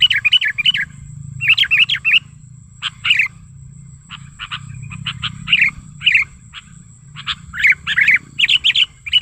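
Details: Sooty-headed bulbul lure call, presented as natural wild sound: bursts of bubbly, warbling notes alternate with series of short dry clicking chirps over nine seconds, with a faint constant high-pitched tone behind.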